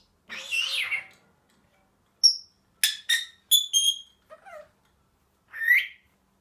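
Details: A happy Senegal parrot mixes a buzzy wavering squawk with clear, thin whistled notes and quick chirps in short clusters, then closes with one more rasping call; no other sounds between.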